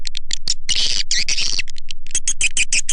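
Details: Swiftlet lure sound meant to draw the birds to nesting sites in Indonesia: clipped high chirps, then a short buzzy chatter, then evenly spaced sharp notes about five a second.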